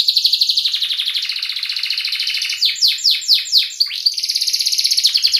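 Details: Training lure for juvenile canaries in ngerol style: a fast, continuous rolling trill, broken midway by several loud downward-sweeping notes, then the rapid trill resumes.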